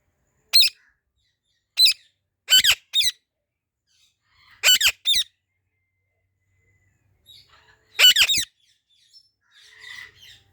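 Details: Ringneck parrot repeating loud shrill squawks, often in doubled or tripled bursts every second or two, with faint chatter at the end.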